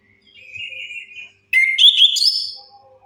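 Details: Orange-headed thrush song, played as a lure to get quiet birds singing: a soft, level whistle, then after a short pause a louder, richer phrase of rising, warbled whistled notes.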